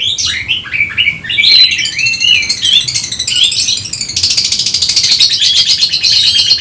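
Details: Oriental magpie-robin, agitated and seeking a rival: rapid varied song of sharp whistled notes and rising slurs, then a dense buzzy high trill in the second half, loud and continuous.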